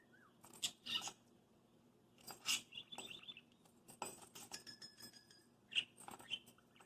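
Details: Parakeet, a 6-month-old hand-raised male, chatters and talks in short, high warbled bursts while attacking his bells before bed, between sharp metallic jingles and taps of a small bell.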